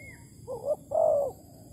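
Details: Spotted dove in Malaysia near a bird trap with bare bait, 11 August 2020. A thin high whistle opens, then a wavering coo leads into a longer, strong, slightly falling coo.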